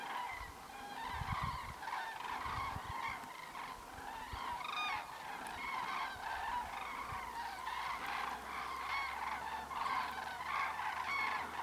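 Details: Common crane (Grus grus) flock calling continuously, many loud rolling trumpeting notes overlapping into a dense chorus, over low background rumble.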